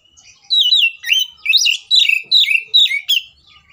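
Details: Oriental magpie-robin giving an agitated fighting song meant to provoke other magpie-robins into singing: six loud whistled phrases, each sweeping and twisting in pitch, delivered roughly every half second with brief gaps between them.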